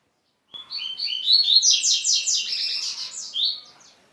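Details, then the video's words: Double-collared seedeater song used to stir up other males: a fast, bright chattering phrase of high chirped notes that climbs and tumbles about four seconds, starting abruptly after brief silence. "O melhor cante de coleiro - Levanta qualquer coleiro"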